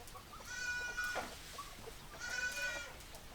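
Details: Hens clucking: two drawn-out, nasal, harmonic squawking calls about two seconds apart, with soft short clucks between them over a steady noisy farmyard background.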